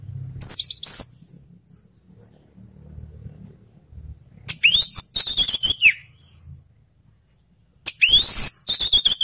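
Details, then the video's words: Orange-headed thrush song played to prompt other thrushes to sing: sharp, high sweeping whistles and quick slurred notes in three spaced bursts, with a soft low hum between them. "suara anis merah"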